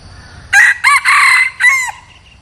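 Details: Decoy red junglefowl, a bird kept to lure wild junglefowl, crowing: four loud, harsh syllables over about one and a half seconds, the last short and trailing downward, against a quiet background.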